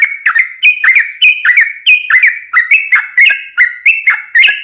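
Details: Yellow-vented bulbul singing actively, used as a lure sound for other birds: fast, bubbly, liquid notes that rise and fall, given in short bursts about every third of a second, with sharp clicks above.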